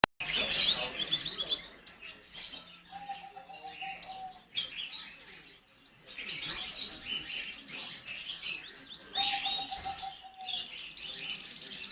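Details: Gloster canary singing in a pet aviary: dense, fast twittering and trilled phrases high in pitch, bursts every few seconds, with a steady lower whistled note held for about a second between phrases.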